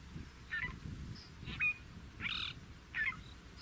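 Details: Fork-tailed drongo (Dicrurus adsimilis) filmed in natural habitat in Africa gives four harsh, nasal, metallic notes, roughly one every second, over a low rumble of wind or distant noise.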